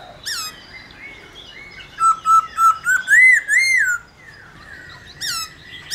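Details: Black-throated laughingthrush singing loudly, played to stimulate other laughingthrushes to sing: a run of clear whistled notes rising and falling in pitch, grouped into quick phrases over about two seconds, with short higher calls before and after.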